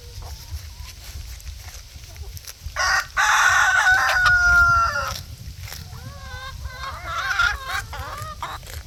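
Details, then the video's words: Barnyard chickens chattering with soft clucks, then a rooster's long, strained crow, followed by a run of wavering, quavering hen calls and more clucking. "Chickens out gossiping in the barnyard."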